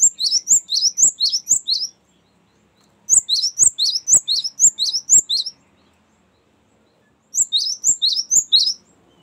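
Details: Long rolling "ngerol panjang" song of a Cinereous tit, offered as a lure and a master song for training birds. Three bursts of quick, high, sharp double notes repeat steadily about twice a second, separated by brief silences.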